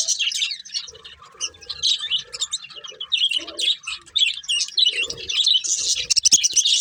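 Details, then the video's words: Pet budgerigars, a breeding pair, chatter in a steady stream of rapid high chirps and scratchy warbles, with occasional soft lower tones and a louder burst near the end. "Cute Budgies Chirping Sounds"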